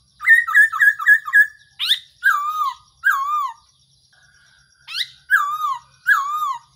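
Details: Trapping decoy sound of the black-throated laughingthrush: a fast string of five chirpy notes opens, then a sharp upward note and several strong whistles that wobble and fall, a short silent gap, then the pattern again.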